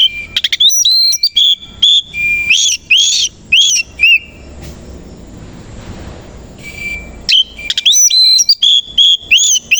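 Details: Morning song of a kacer koci Oriental magpie-robin with tail spread; rapid bright whistled phrases in fast succession, a pause of about three seconds, then the lively phrases resume.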